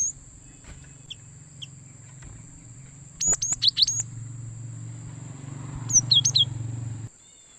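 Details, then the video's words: Gelatik batu (cinereous tit) used as a lure to trap wild birds: two short bursts of high chips and twittering notes about three seconds apart over a low rumbling background and a steady high-pitched whine. "suara Gelatik Batu Pikat sangat Baik Untuk Mikat Burung Gelatik Liar"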